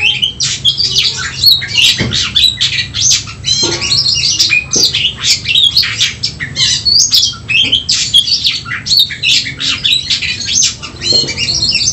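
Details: Long oriental magpie-robin fighting song, stirring up emotion, a relentless run of shrill chirps, looping whistles and rasping phrases, with a few low thumps in the background.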